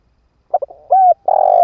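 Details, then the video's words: Ground decoy spotted dove luring wild birds: two quick clipped notes, a smooth bending coo, then a long rolling, pulsing coo that runs on. "Tiếng chim cu mồi đất kích bổi hiệu quả"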